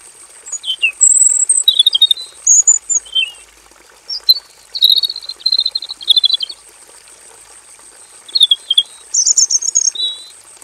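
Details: Caged robin in a simple aviary, singing a varied masteran song: short high whistled and trilled phrases in bursts around one to two seconds long, separated by brief pauses, with a steady high hiss behind.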